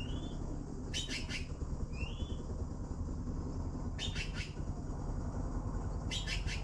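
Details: Harsh, raspy triple-pulsed bursts from blue magpies begging for food, repeated roughly every two to three seconds and mixed with two brief upslurred whistles, all above constant low-pitched rumble.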